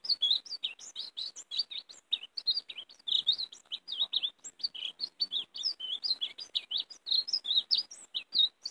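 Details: European greenfinch song in the gorjeo 'mariposa' style, used for luring greenfinches to be caught: continuous fast twittering with loud chirped notes jumping between high and higher pitches, unbroken throughout.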